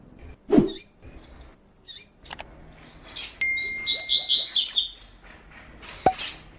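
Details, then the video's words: Double-collared seedeater, fibra song type, recorded as training material: one fast, high, rolling phrase of linked slurred notes. Before it come soft clicks and a low thump, and after it a lone sharp chip. "COLEIRO FIBRA 100%TREINO"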